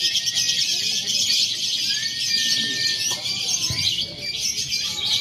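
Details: Lovebird contest-training simulation combining the konslet, fighter and paud song styles: a continuous, dense, shrill chattering of rapid high notes, with one longer level whistled note midway and faint low background noise.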